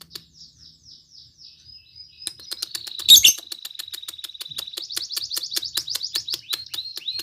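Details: Lovebird in lively, full song, used to prompt other lovebirds to sing: rapid high twittering and buzzy chatter over a steady series of sharp clicking ticks, with one loud rasping burst midway.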